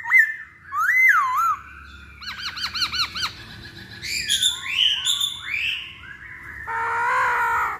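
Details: Masked laughingthrush lure recording to make birds sing: looping whistled phrases, then rapid bouncing warbled notes and sweeping slurs, ending in a harsh rasping note.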